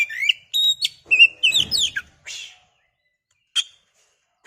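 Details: Oriental magpie-robin lure song meant to rile another bird into singing: a rapid run of varied clear whistles and slurred notes for two seconds, then a scratchy note and two isolated sharp chips after a pause.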